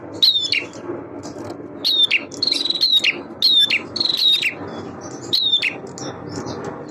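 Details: High, quick phrases from a male bar-winged prinia singing to prompt other birds: falling whistled notes and short buzzy rattles repeated several times over a constant low background rumble.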